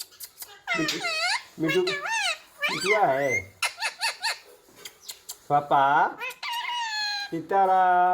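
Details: Ringneck parrot imitating human words including "papa": rapid bursts of curved harmonic syllables, a low wavering phrase midway, then a sustained flat voiced note near the end, recorded inside a room.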